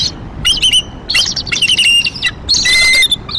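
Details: Nesting bald eagles in Decorah, cold April 2023, chortling at a meeting on a branch or warning toward an immature eagle: loud, squealing chattered phrases in dense bursts, ending in a drawn high squeal.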